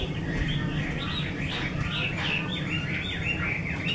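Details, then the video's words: Artisan-kept Chinese hwamei of the 'mơ' type delivering a rapid string of bright whistled notes and short slurs, partly masked by steady low-pitched background hum. "Họa mi mơ siêu vip bộ cực đẹp, hót cực hay của nghệ nhân"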